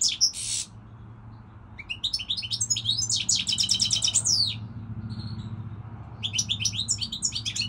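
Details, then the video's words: Goldfinch singing: a short buzzy note, then a stream of fast twittering and a rapid trill of repeated chirps, a pause, and more tinkling phrases, over a faint low hum. "Singing Goldfinch, saka kusu تغريد الحسون الاروع هذا الموسم"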